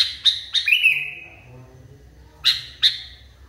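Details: Caged sooty-headed bulbul calling agitatedly: sharp chirps and a falling whistle, a pause, then two more sharp chirps.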